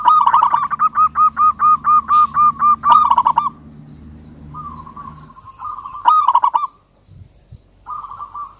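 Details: Zebra dove of local perkutut stock sings emotionally at a rival. A rhythmic train of arched coos comes about four per second, then softer rolling phrases and a final short burst follow.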